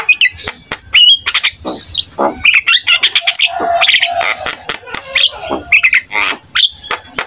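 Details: Javan myna singing busily, a full varied song for training other mynas: crackling chatter, clicks and short whistles, with a nasal buzzy run in the middle.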